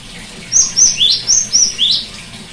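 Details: Song of the cinereous tit, played to make a silent bird sing: crisp high whistles interleaved with lower rising notes, about six notes in a rhythmic run, then quiet.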